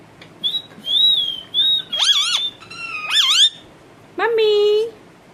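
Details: Pet talking parrot mixing short whistles with wavering, voice-like tonal calls, ending in a steady nasal drawn-out note.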